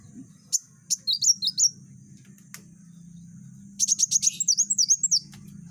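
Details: Sunbird, kept for training other songbirds, singing busily in rapid dense bursts: scattered sharp high chirps, then a quick run of about a dozen tight, piercing notes with a few twisting, slurred whistles, over a steady low background hum.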